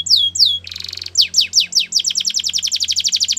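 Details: Belgian canary training song: two long downslurred whistles, a short buzzy rattle, slower descending notes, then an accelerating even series of sharp chips, over a faint low hum.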